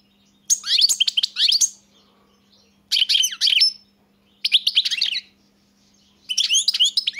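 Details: European goldfinch singing four bursts of fast, jangling, tinkling twitters with quick upward and downward slides, each about a second long with short gaps between; a quiet hum behind.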